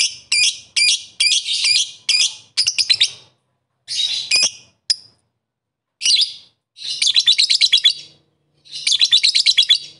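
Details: Lovebird calling its rivals with rapid, shrill chattering: quick runs of sharp high notes in bursts, broken by short pauses, with trilled stuttering series near the end.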